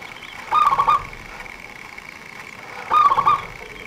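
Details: Fast-singing local zebra dove used as a lure for trapping birds. It gives two short rolling coo phrases about 2.4 seconds apart, backed by a steady high hum.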